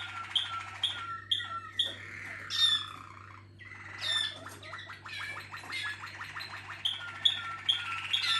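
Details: Waterslager (Malinois) canary song from a contest team of caged birds: bubbling, water-like rolling trills alternate with clear high whistled notes and short gurgling bursts, over a steady low electrical hum.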